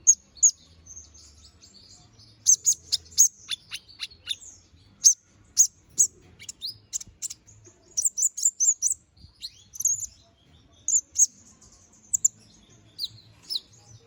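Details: Canary singing in the lively 'gacor ngobra' style, used as master song for training birds; high, varied chirps and quick downward-sweeping notes in short bursts, with a rapid run of trilled phrases in the middle, separated by brief pauses.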